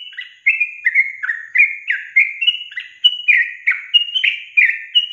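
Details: Sooty-headed bulbul song used as a lure to get untrained caged birds that rarely sing to answer: a fast, continuous run of short whistled, slurred notes, each dipping or rising, repeated about every half second with no other sounds.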